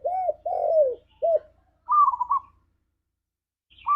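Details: Tekukur (spotted dove) 'ngalas'-style song used as a lure to set a kept dove singing: three coos, the middle one long and sliding, then a wavering rolling trill, and a second trill starting at the end.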